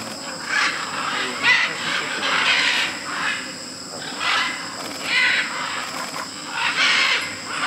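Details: Flock of macaws mixed with parrots at a large clay lick in Tambopata, Peru, gathering to eat clay. Rough, grating squawks overlap in repeated bursts about every second, with a constant high-pitched insect hum behind them.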